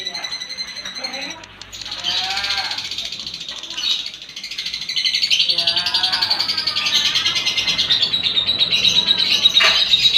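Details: Lovebird singing ngekek, a lure recording meant to draw song from other lovebirds: rapid high chattering trills with harsher, buzzy descending squeaks mixed in, building into a continuous shrill stream of pulses.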